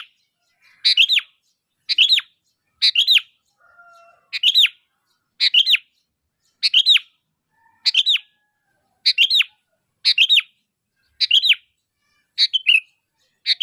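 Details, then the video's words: Calling sooty-headed bulbul, the sound used to bring other bulbuls to respond: a steady run of sharp, two-part downslurred chirps about once a second, twelve in total, clean and evenly paced. "Suara Asli Kutilang Gacor Memanggil, Kutilang Pasti Nyaut"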